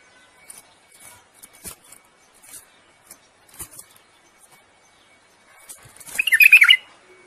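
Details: Bulbul song used in mating to prepare the female: scattered faint ticks and taps, then a loud, rapid, warbling flourish of whistled notes near the end.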